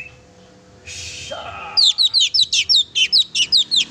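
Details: Oriental magpie-robin singing vigorously to provoke a pet magpie-robin: after a short noisy hiss, a fast even string of about a dozen loud, sharp, high slurred chirps.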